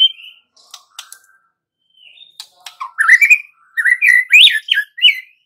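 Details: Song of a White-rumped shama used to coax young wild-caught birds into singing; sparse quiet notes and clicks open, then a loud stretch of rich, rising and twisting whistles in rapid phrases.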